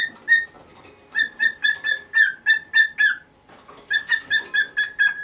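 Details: Morning appeal from a pet cockatiel of nineteen years wanting the cloth over its cage taken away: rapid, loud, harmonic squawks in two runs with a brief gap, with some low rustling in the background.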